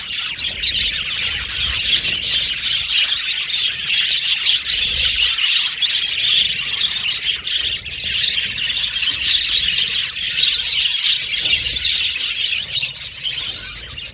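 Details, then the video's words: Male violet budgies chirping in an aviary colony: a long, steady blanket of high, scratchy twitters and chirps from many birds, rising and falling slightly in intensity throughout. "Beautiful budgies chirping sound"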